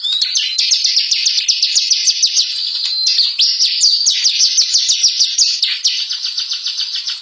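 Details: Bar-winged prinia in energetic song from a lure recording that provokes birds to sing. Rapid, high, downslurred ticking notes repeat steadily for the whole stretch, with a short break just past three seconds.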